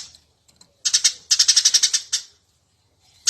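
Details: Eurasian tree sparrow in busy chirping for a training recording: a few loud, scratchy chirps followed by a quick run of about eight high, rhythmic notes, then quiet and one last chirp.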